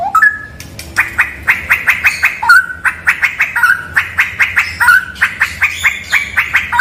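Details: Straw-headed bulbul singing in a cave said to be haunted: a couple of rising whistles lead into a steady chain of sharp, ringing notes, interrupted by brief melodious slurs.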